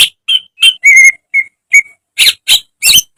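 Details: Training recording of a caged greater green leafbird: a few pure whistled notes, one steady and ringing, then three harsher, broad chattering notes at the end.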